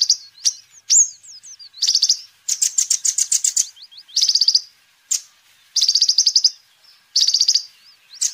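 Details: High, energetic sunbird song, a recording for luring birds and teaching them song: rising whistled slurs, sharp chips, and a longer rapid trill, then more short trill bursts with gaps.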